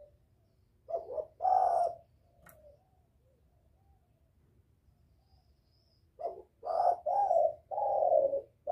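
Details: Spotted dove calling to attract males as a lure: two quieter groups of low, hollow coos separated by a long pause, over a faint low hum and light background noise.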